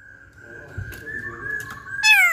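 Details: Masked laughingthrush in full voice: a long, steady, quiet whistle held for two seconds, then a sudden loud, harsh, downward-sliding note. A low background murmur is present.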